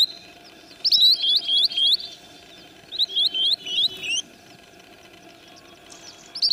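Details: Sandpiper giving two quick runs of high, sharp whistled notes, each run of four or five clipped calls, over a low steady hum, with a final call cut off at the end.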